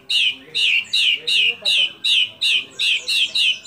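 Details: White-rumped shama song used to encourage other shamas to sing: a steady run of about ten identical, husky, down-slurred whistled notes, spaced roughly two per second.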